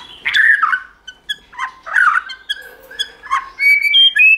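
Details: White-rumped shama, a recording meant to stimulate and train shamas to sing in many voices and flick their tails: rasping, squawky notes broken by short whistles, ending in clear, sustained high whistles.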